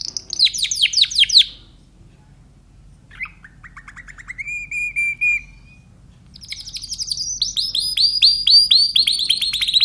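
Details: Timbrado canary singing: fast high trills and rattling phrases, a pause, a softer rolled tour, another pause, then bright rising-falling notes repeated in quick series.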